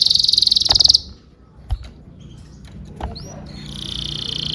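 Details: Canary song recorded as tutor material for training young canaries: a fast, even high trill for one second, then near silence with a few clicks and a sharp upward sweep, ending in a buzzy high trill.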